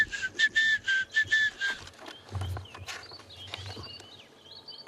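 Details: On a 1 March sunrise safari in Africa, a tiny crombec sings a quick run of about eight short, bright whistled notes, evenly spaced, then falls quiet while other small birds twitter in the background.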